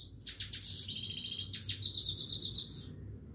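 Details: Lively song of a Himalayan goldfinch, dense rattling twitters and ringing high trills running almost without break for about three seconds over a soft background hum.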